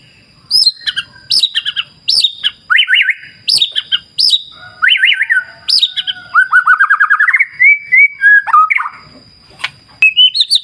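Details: White-rumped shama singing by a clear river in the wild, a rich, varied stream of loud whistles: sharp descending slurs, buzzy chattering phrases and a rapid rattling trill, phrases following almost without pause over a faint continuous high tone.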